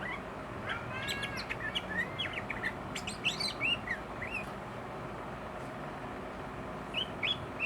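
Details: Agitated sooty-headed bulbul delivering learned fill-in phrases: a burst of sharp chirps and short curling whistles in the first four seconds, then near quiet before two brief whistled notes, over steady low background noise.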